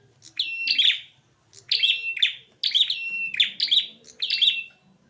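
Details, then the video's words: Fighting male prinias burst into harsh, high chirps. The strained notes come in rapid bunches about every second, each run starting abruptly and separated by short silences. "amprenjak jantan tarung tanpa ampun"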